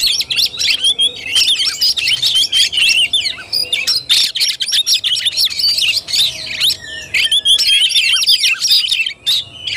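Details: Fighting-style song of an Oriental magpie-robin, nearly continuous rapid chattering and bright whistled slurs with clicks, one short break midway.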